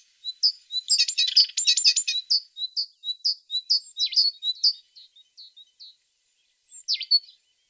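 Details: Tit delivering a rapid series of high whistled notes, briefly overlaid by a dense buzzy chatter, then slowing into separate clear notes and ending with a short sweeping call.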